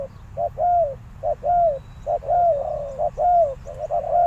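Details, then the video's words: Caged decoy spotted dove calling wild birds: clear, mellow coos in pairs, a brief lead note and a longer bowed note, repeated roughly every second with a faint distant chirp in the background. "chim cu mồi gáy gọi bổi"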